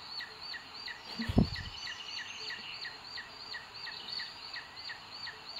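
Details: Booted eagle at its nest, Sierra de Guadarrama, Spain, 2 June 2022, webcam footage of the male bringing food to the female; evenly spaced high, clipped notes continue through one brief low thump.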